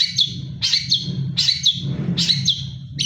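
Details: Long-tailed shrike in moult still singing: harsh, scratchy chattering notes repeated about every half second, over a constant low hum.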